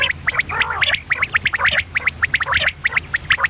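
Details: Female common quail giving a dense stream of quick, scratchy chattering notes, about several per second. A lower, harmonic gurgling call comes early on, over a soft background hum.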